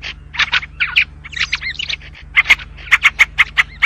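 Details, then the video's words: Syrian bulbul, or white-spectacled / yellow-vented bulbul: rough bursts and a rippling warbled phrase, then after a brief break an even series of crisp chirps about every fifth of a second, above a soft low hum. "تغريد البلبل السوري/بلبل أبيض النظارات/بلبل أصفر العجز"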